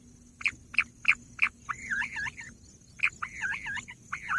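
Bush quail giving four sharp, high whistled notes about three per second, then rapid warbling, twittering phrases, with a faint steady hum behind.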